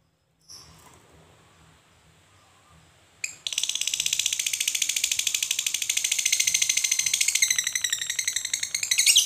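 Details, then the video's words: Fighter lovebird giving a long ngekek chatter, meant to provoke other lovebirds into answering: after quiet faint notes, a sudden loud, harsh, rapidly repeated buzzy rattle runs without pause for about six seconds. "suara Lovebird Fighter ngekek panjang pancing emosi"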